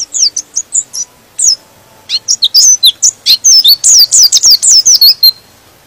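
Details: A white-eye (pleci) sings to goad other birds into song: separate short high chirps build into a long, accelerating run of rapid, sweeping notes that ends abruptly.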